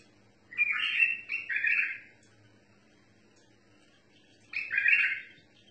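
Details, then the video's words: A bulbul, its song in the tawr mutawa'i style, gives a double warbled phrase followed after a two-second pause by another rich, fluty phrase, with a soft background hum. "بلبل طور مطاوعي"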